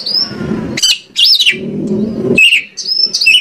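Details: Lure song of the white-rumped shama for making the bird sing: high whistles and harsh rasping bursts interrupted by stretches of low rumbling background noise.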